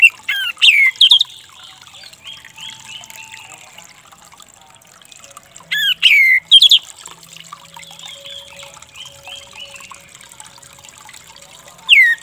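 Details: Orange-headed thrush, a stressed bird that had stopped singing, used to coax it back into song: loud clear whistled phrases falling and sliding at the start, again around six seconds and at the end, with soft twittering and a steady trickle of water between.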